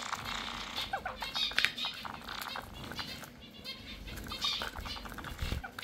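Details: Several Java sparrows kept as pets softly chattering, with short, buzzy, nasal bursts and clicking notes scattered irregularly, plus faint rustling.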